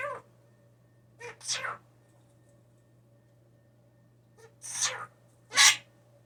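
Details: Hand-raised young blue jay, cared for indoors after falling from its nest, imitating sneezes: several short, explosive, noisy bursts spaced about one to three seconds apart, with a steady low hum in the room.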